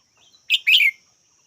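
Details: Red-whiskered bulbul giving a short two-part call: a sharp chirp, then a longer, harsher, slightly falling burst. It is bright and high-pitched, with a faint steady high hum in the background.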